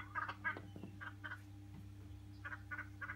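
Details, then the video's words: A colony of noisy friarbirds visiting a house garden for a heavily flowering Little John tree: short harsh, nasal call notes in uneven bursts with pauses, over a steady low electrical hum. "Noisy Friarbird"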